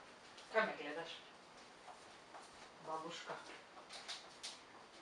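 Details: A pet African grey parrot mimics human speech in two short bursts of talk-like syllables, in a raspy voice with clear harmonics. Quiet indoor room sound fills the gaps.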